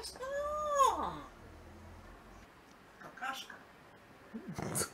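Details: An African grey parrot, a pet amusing itself, gives one drawn-out wailing call that swells then slides downward, followed by two short, rough, scratchy bursts in a quiet room; grey parrot.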